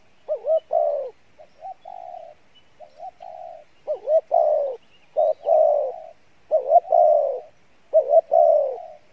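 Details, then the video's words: Spotted dove, Pha Bài Lối style, good voice and fair cooing. Low phrases of wavering, looping notes ending in a long mellow coo, alternating with softer short coos, repeated about every second and a half. "Đồng Pha Bài Lối , tốt Giọng , Gù khá"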